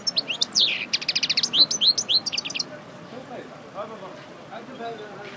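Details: Goldfinch of the parva form, a breeding bird emerging from moult, delivering about three seconds of rapid high twittering and slurred chirps, then falling silent with faint background murmur.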